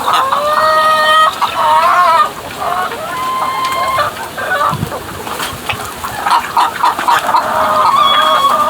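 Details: Weird chicken noises: a run of harsh, harmonic squawks, then a brief lull and a return to overlapping, wavering cackles and drawn notes, with faint low thuds.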